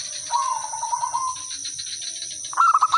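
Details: Zebra dove song used as a lure so other birds answer: a faint drawn-out rolling coo answered by a louder bright stuttering trill at the end, with constant high insect buzz behind.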